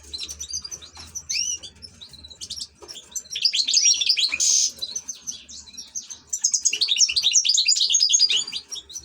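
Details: High twittering song from an ornamental European goldfinch, starting with sparse slurred notes, then a loud buzzy rasp, then a long dense stream of tinkling, rapidly repeated notes.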